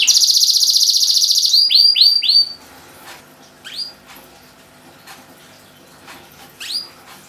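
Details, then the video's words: Canary singing 'gacor', meant to coax quiet canaries into song: a rapid, buzzy high trill for over a second, then three or four sweeping notes, then near silence broken by a few isolated chirps. "BURUNG KENARI GACOR // KENARI MACET LANGSUNG BUNYI"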